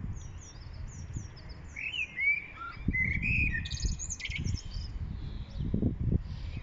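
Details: Common blackbird in song, 1 April 2021, Lanfertsweg, among daffodils: rapid high chirps open, then fluty mid-pitched warbles and a squeaky high flourish, with low rumbling thumps throughout.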